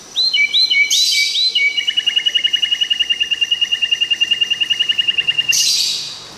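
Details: White-rumped shama recorded directly: a few ringing whistled notes lead into a long, steady rapid trill of repeated chips lasting several seconds, ending abruptly.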